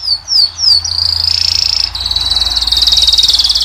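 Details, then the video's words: Caged European goldfinch, Moroccan form, singing to attract a female: a few sliding whistled notes open into a long dense high trill that wavers slightly in pitch. "أجمل صوت طائر الحسون والكناري تخلي الأنثى تكسر عليه القفص"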